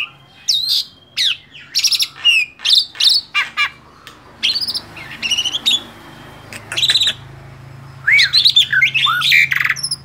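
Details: Song of a male black-winged starling, kept tame: scattered bursts of squawky, rising whistles and harsh chatter separated by pauses, with a faint low hum beneath.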